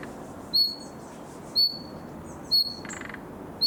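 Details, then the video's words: Summer recording of a young common nightingale practising its song: four clear, high, piercing single notes, each with a quick start and a thin fading tail, spaced about one second apart, with faint rustling between them. "Пение летнего соловья. Малыш старается"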